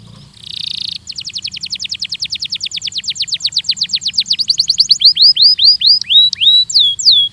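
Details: Belgian canary training song opens with a short buzzy burst, then a long series of downward-swept notes that speeds up and brightens before giving way to slower, rising hooked whistles.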